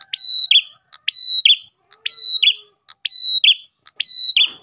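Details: Ash tailorbird repeating its song to lure others of its kind: a click, then a loud sustained whistle dropping into a buzzy slur, about once per second. A faint low tone sounds midway.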